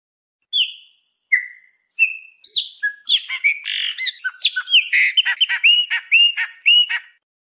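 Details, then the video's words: Chopi blackbird song intended to stimulate a pet bird. Three spaced, clear downslurred whistles open, then the bird launches into a fast, complex jumble of whistles, clicks and rising notes. "CANTO DO PÁSSARO PRETO"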